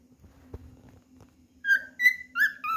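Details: Cockatiel, seeking another cockatiel to play with, gives three or four short, bright whistled notes with rising and falling inflections after a quiet stretch with a faint hum and a soft knock.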